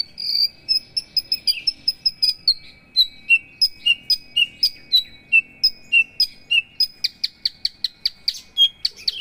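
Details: High, clipped whistled notes from a Javan bush lark of the 'paksi aji' line, repeated roughly twice a second, steady then quickening toward the end; a faint continuous tone runs beneath.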